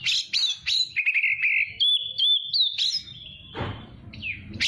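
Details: Oriental magpie-robin, a young cage bird, used as a training song for young birds: a few sharp rising chips, then long sustained whistled and buzzy trill notes, ending in a noisy rustle and another sweep.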